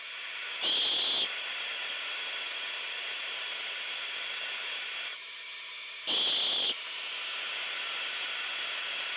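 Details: Two loud, harsh defensive hisses from an owl, some five seconds apart, while owlets wait for food at night and keep up a continuous high, breathy hiss of their own.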